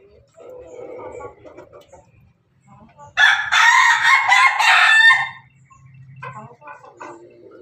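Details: Pelung rooster, Bangkok type, feeding among hens: gentle clucking and murmurs, then a loud, harsh crow lasting about two seconds mid-clip, followed again by low clucks.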